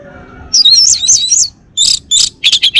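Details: Male orange-headed thrush, Bali form, kept in North Bali, Singaraja, singing a warbled string of high wavering whistles followed by loud rough notes and quick repeated chirps.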